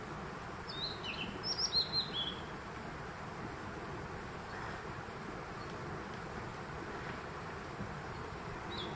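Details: Blue-and-white flycatcher singing in June 2023 at Konashidaira near Kappa Bridge, Kamikochi, Japan: a quick phrase of high, clear whistled notes, some sliding downward, lasting about a second and a half, over a constant rushing background noise.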